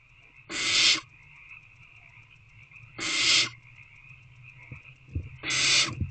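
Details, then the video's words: Owlets awaiting food in Owl Box C, 6:28 pm on 3/2/24, begging: three rough, noisy hissing screeches spaced about two and a half seconds apart, with a few faint scratches and a steady hum behind. "Owlets Waiting For A Food Delivery"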